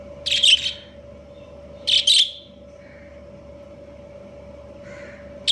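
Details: Budgerigars, an Australian parakeet breeding pair, give two buzzy, rapid double chirps about one and a half seconds apart, then softer faint notes, over a steady low hum.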